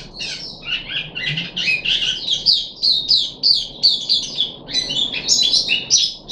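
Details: Caged puff-backed bulbul on its third day of deworming treatment, 14 July 2021, sings fast, lively high chirps and warbled notes in a continuous, uneven stream with almost no pauses, indoors.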